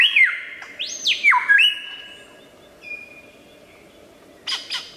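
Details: Superb lyrebird singing wild in Australia, copying other species: loud whistled notes that leap up then drop in steps, a long level whistle fading out, and a final pair of sharp high bursts.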